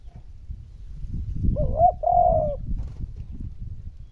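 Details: Spotted dove coo meant to get reluctant decoy birds cooing: a single phrase of short hooted notes followed by a drawn-out steady coo, set against loud low-pitched rumble and background noise.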